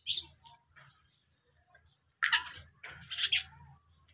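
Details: Black francolin (Francolinus francolinus), Sindhi black francolin, calling: harsh, grating notes in two loud, scratchy bursts after a brief opening note, with a faint low hum beneath.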